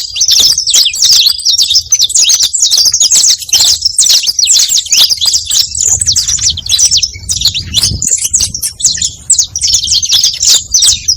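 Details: Prolonged saffron finch song for luring other saffron finches: a long, steady flow of crisp high chirps repeated rapidly, with a short low thump near the middle.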